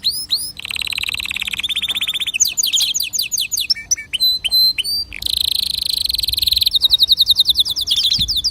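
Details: Canary song used to stimulate other birds to sing: a loud, varied sequence of fast trills, buzzy rolls and repeated sharp whistled notes, switching phrases every second or two.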